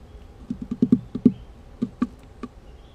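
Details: Woodpecker at a feeder house knocking on a camera it discovered, a quick series of dull taps, about nine in a burst over two seconds, loud and close, indoors-sounding.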